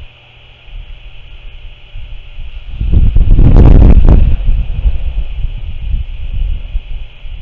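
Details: Low rumbling wind and handling noise that swells into a loud broadband gust around the middle, with a steady mechanical hum throughout and no animal calls.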